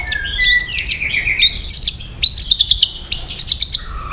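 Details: Brief stretch of white-rumped shama singing meant to make a listening shama emotional: high wavering whistles and rapid trilled notes, ending on a lower falling whistle.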